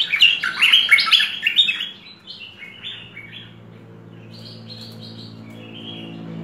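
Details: Merbah lekir bulbul, full-fill training recording: a loud jumble of rich chirps for two seconds, then fainter spaced whistled phrases while a low hum continues.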